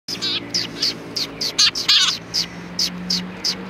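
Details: Several sparrows at a Tenmangu shrine on 3 January 2020 give bright, short chirps, repeated roughly every quarter second with a few louder doubled notes midway, over a faint low hum.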